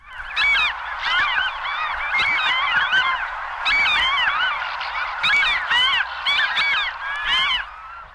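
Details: Franklin's Gulls, from a 1961 audio field guide to eastern and central North American birds, call from a busy colony: many overlapping nasal, mewing and yelping notes in quick, chattering bursts with brief lulls.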